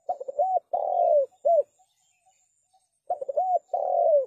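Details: Spotted dove whose call serves to lure doves into traps: clipped stuttering notes, an arched hoot, then a long descending coo and a brief note, the phrase starting again after a silent gap.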